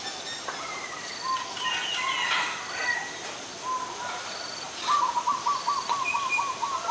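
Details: Adult zebra dove in Ubon Ratchathani, Thailand, recorded 13 May 2022: a rapid run of short, evenly spaced mid-pitched cooing notes near the end, after assorted chirps and whistles from other birds.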